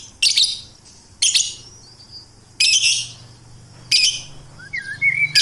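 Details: Melodious bird song: loud, harsh, high chattering bursts about once a second, ending in a few short rising whistled notes over a faint low hum.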